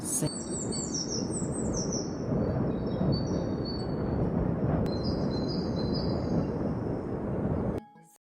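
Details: Great tit, a small winter-resident songbird said to love singing in winter, gives thin, high, repeated notes slurring downward in quick phrases over a steady low rumble; song.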